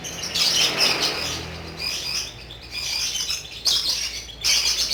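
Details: Energetic lovebird ngekek: loud, buzzy high chatter flowing in long runs, dipping briefly then resuming in strong bursts.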